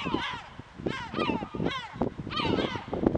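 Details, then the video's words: A yellow-legged gull below the castle in Alicante, 2/10/2021, gives harsh, nasal, arching calls in quick bursts about every half second, with low knocking and bumping sounds underneath. "Gull (Larus michahellis) calling"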